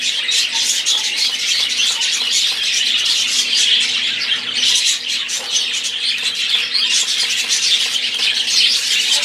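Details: Flock of budgerigars singing, a continuous high, scratchy warbling chatter of many overlapping chirps with no breaks.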